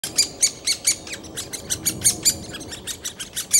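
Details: Great spotted woodpecker chick, being fed in Bystrzyca Valley Landscape Park, begs with a rapid, shrill chatter of high chirps, about four a second, over a faint low background hum.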